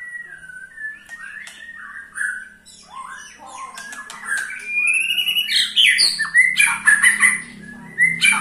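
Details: White-rumped shama ketrekan to make other shamas sing: varied whistles and chips that build into loud, harsh, rapid chattering, over a steady low hum.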